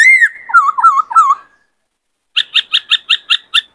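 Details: Caged male White-cheeked laughingthrush in breeding condition, singing a varied song: a falling whistle, then wavering whistled notes around the middle, a pause, and a run of seven quick, evenly spaced higher chirps.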